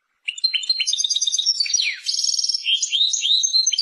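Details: European goldfinch song running without pause: quick chirps and liquid twitters, a falling slurred note, then buzzy trills and more rolling warbled notes.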